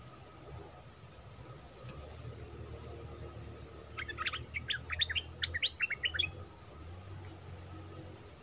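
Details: Wild birds arriving together as a family: a two-second burst of rapid, high, sharp chirps in quick succession. A steady high insect whine and a low rumble run underneath.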